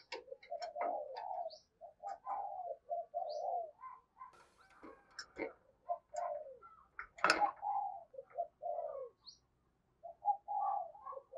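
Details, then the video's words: Spotted dove used as a lure bird, calling to attract wild doves: short, low coos in broken bursts, mixed with sharp clicks and ticking knocks. "Chim Cu Mồi Thúc Và Gáy Gọi Bổi Mới Dùng Kích Bổi Hiệu Quả"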